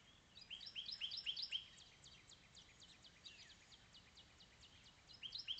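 A house finch sings bright, warbling phrases of quick rising and falling notes, with a pause between bursts of song and a soft outdoor hiss behind.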